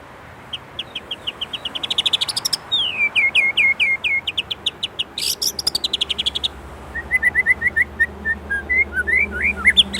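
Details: Indonesian white-rumped shama singing a long 'isian' medley: accelerating rising notes, a series of loud falling whistles repeated twice a second, a harsh buzzy burst, then rapid twittering runs and climbing whistled phrases.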